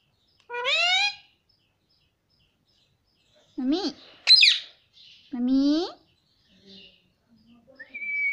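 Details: Indian ringneck parakeet, a talking pet that says "Mummy" and "papa". Four clear, speech-like utterances are separated by pauses, rich in harmonics with bending pitch. The last is a thin, high, steady whistle-like tone over near silence.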